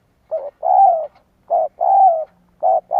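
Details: Spotted dove decoy cooing to stir up wild doves: low, mellow coos in pairs, a short note followed by a longer, slightly falling one, repeated irregularly against a quiet background.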